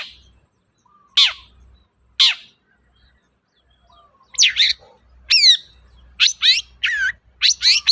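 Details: Long-tailed shrike (cendet) lure recording meant to draw out a silent shrike. Two sharp descending chips come first, then a quickening series of harsh, buzzy, harmonic-rich notes in pairs and triplets.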